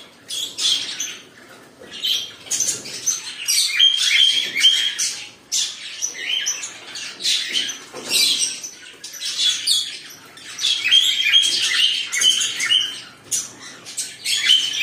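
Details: A cockatiel chatters in rapid, scratchy, high chirps and squawks while mating.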